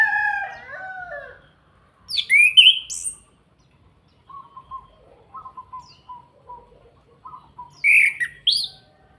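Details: Orange-headed thrush from Salatiga, Indonesia, kretekan call used as a lure to make other birds sing: low whistled slurs, then a loud buzzy rising high note, a string of soft chips, and another sharp high burst near the end.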